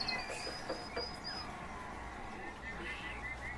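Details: Soft, rolling, liquid 'prruip' calls from several European bee-eaters (Merops apiaster), overlapping and fairly faint, over a steady high insect-like hiss and light background murmur.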